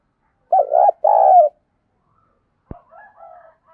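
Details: Spotted dove decoy in the 'thổ pha thúc' voice style, used for training decoys: two strong burry coos, a sharp click, then a soft broken series of lower notes.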